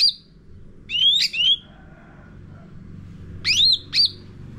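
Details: Lure song of a sooty-headed bulbul, used to train caged birds: a few sparse clusters of bright rising and bending whistled notes separated by long quiet gaps.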